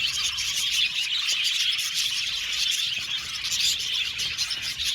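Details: Budgerigars in an aviary colony chirping together, a dense, continuous chatter of high twittering and warbled notes with no pauses, many birds calling over one another throughout.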